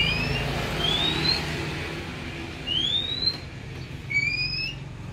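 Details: Oriental magpie-robin raised from young, giving clear, thin whistled notes that slide upward, about four separate phrases spaced roughly a second apart, over a steady low hum.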